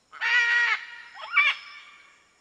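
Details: Red-and-green macaw calling with a long, grating, nasal screech held for about half a second, then a shorter, rougher squawk, both loud and harsh against a quiet background.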